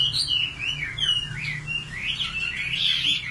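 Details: {'caption': 'Nightingale in song: a continuous stream of swooping, slurred whistles rising and falling in pitch, with a low background drone.'}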